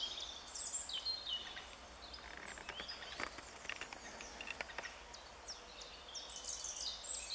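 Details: Eurasian jay's soft spring subsong on 25 April 2013: a quiet, rambling mix of clicks, scratchy chatter and brief high whistled notes over faint outdoor hiss.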